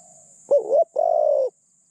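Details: Spotted dove used as a lure for wild doves: a lone cooing phrase, a dipping two-part note followed by a smooth prolonged coo, with the end of a previous coo and a soft high hiss.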